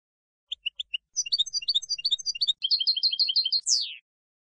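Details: European goldfinch song for schooling young decoy birds: a few spaced single chirps, then a dense, lively string of high twittering notes and a repeated run of paired chips, closing with a sharp descending buzzy note.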